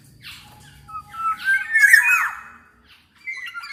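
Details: Kepodang emas, the black-naped oriole, heard in a lure recording to stimulate other orioles: a smeared, raspy phrase with bright overtones building and fading, a faint low hum early on, then a short thin whistle.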